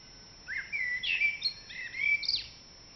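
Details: A common blackbird sings at the start of an April dawn chorus, giving a single fluty phrase of rising and falling whistles that ends in higher squeaky notes.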